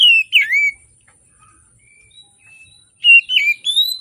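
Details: Oriental magpie-robin in morning song, meant as a lure to coax birds reluctant to sing: a loud, clear whistled phrase with a dipping slur, near silence, then another run of sweet rising whistles.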